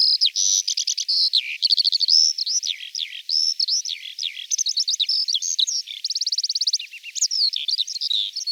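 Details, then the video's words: Eurasian skylark in Russia pouring out a fast, unbroken song of high whistled notes, quick repeated trills and rattling buzzy bursts, sweeping up and down in pitch throughout, heard clearly with no background noise. "Полевой жаворонок"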